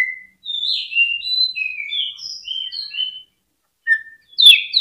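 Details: Greater green leafbird song played as a lure to excite other birds into singing: softer, scattered clear whistled notes at varied pitches, some short slurs, then a gap and a couple of sharper notes at the end.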